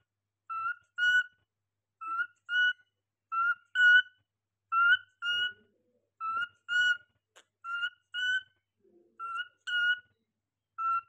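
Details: Cockatiel whistling: clear two-part whistled phrases, the second part slightly higher and rising, repeated roughly every second in an uneven rhythm, with faint low clicks between phrases.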